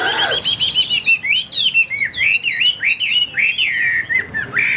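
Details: Tam hoàng Chinese hwamei kept in a cage, a strong singer, delivering loud, varied whistles that slide and loop up and down in quick succession.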